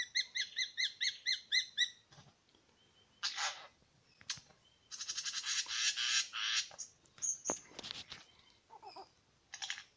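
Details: Superb Lyrebird song from two males at Lookout Point, New England National Park: a fast stuttering run of repeated ringing notes, then varied harsh bursts, crackling rattles and sharp whistles in a rich mimicking sequence.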